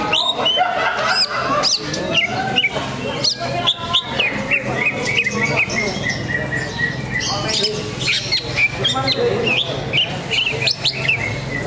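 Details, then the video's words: Greater green leafbird (cucak ijo) in a songbird contest at an anniversary event, singing in a fierce duel while spreading its tail: loud, varied whistled phrases with sliding, looping notes, over constant crowd chatter and a low hum. "Pertarungan Dahsyat Sang Jawara Cucak Ijo Sambil Buka Ekor"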